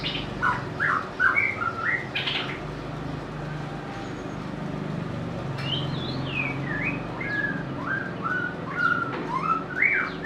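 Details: White-rumped shama song: varied clear whistles, slurred rising and falling notes in loose phrases, heard over a dense low background noise; the species is said to sing sweetly and imitate other birds.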